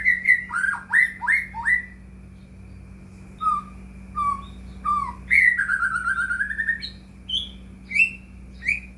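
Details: Shama song, white-rumped, used to provoke other shamas into singing: quick looping whistles, a few isolated short notes, then a long rapid run of clear notes and scattered high whistles, low hum throughout.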